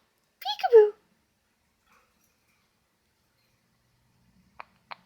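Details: Dilly, a male pet Quaker (monk) parakeet, gives a brief, rich, speech-like chatter that slides downward, followed by quiet clicks, while chatting with his owner.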